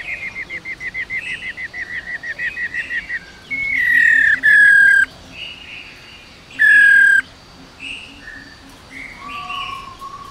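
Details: Female black-throated laughingthrush singing a long 'ro ro' song, used to stimulate male birds to sing. A fast train of short, clipped notes gives way to loud, clear, slightly falling whistles, then quieter warbled phrases.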